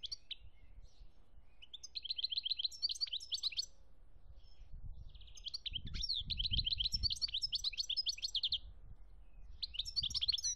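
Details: Goldfinch song from Algeria, 2017: long fluent phrases of rapid buzzy trills and sparkling twitters, repeated three times with short gaps, over a low rumbling background.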